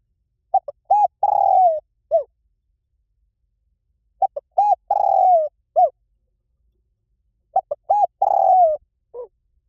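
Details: Spotted dove singing หลิ่วตัน-style phrases, used to lure a trained bird into answering. Three phrases about every three and a half seconds, each made of two quick short coos, a longer coo, a long falling coo and a final short note.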